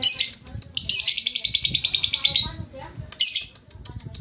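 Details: Lovebird during training singing ngekek: brief high chatter, then a long rapid trill of high pulses lasting nearly two seconds, ending with another short burst of sharp chirps.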